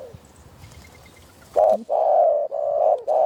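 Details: A wild spotted dove with a very deep voice, approaching a decoy during a hunt, gives low steady coos: a short note, then three long, level, hollow tones run almost together, after a quiet start with faint rustling.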